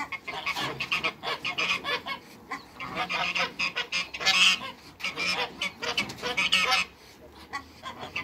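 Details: Two African geese in a backyard with other waterbirds honk repeatedly in harsh, nasal series, loud clusters rising and falling over several seconds before a short lull.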